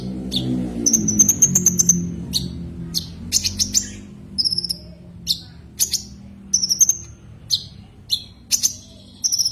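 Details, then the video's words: Common iora calling to a rival: a long high whistle followed by spaced sharp chips and brief whistles about every half second; low hum early on. "Suara kicau Burung konin memanggil lawan"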